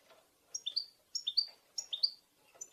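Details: European goldfinches in a group recording of calls meant to stimulate males to sing and mate; bright, high chirped calls come in quick triplets, each group repeated about every 0.6 seconds, with faint background twittering.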